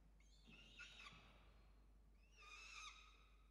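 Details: Peregrine falcons at their nest in Orange, Australia, on 5 November 2021 during an evening feeding of chicks, filmed by a nest camera: two harsh, harmonic, drawn-out calls, the second rising at its start, over a low steady hum.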